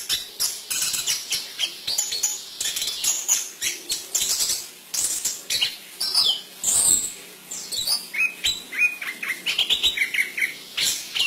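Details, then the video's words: Chestnut-capped thrush (Zoothera interpres) singing a fast, varied stream of high chirps, twitters and short whistled phrases, with soft rustling and wing-flutter sounds throughout. "Anis Kembang Gacor Dorr Buka Isian"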